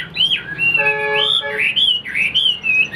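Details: Caged Chinese Hwamei singing, a bird that keeps its tail fanned even when silent; loud clear whistled phrases sweeping up and down, with a short harmonic-rich buzzy note in the middle.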